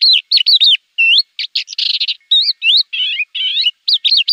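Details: Javan bush lark song used to tutor other birds, a rapid mix of swooping chirps, rising and falling whistles and a short buzzy rattle.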